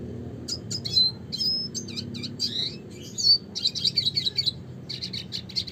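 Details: Red siskin in lively classic 'gacor' song: a continuous high twittering stream of varied chirps, slurred whistles and short buzzy trills, with hardly a pause across several seconds, faint low hum underneath.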